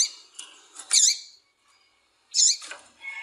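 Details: Female double-collared seedeater (coleiro tui tui) calling to stimulate a male to sing: two loud, high, harsh chip notes about a second apart, with softer rustling notes between and after.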